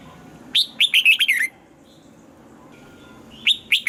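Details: Red-whiskered bulbul trained to sing in the morning with a double-note song like an old wild bird; a bright run of about six quick whistled notes, then the start of another phrase two seconds later.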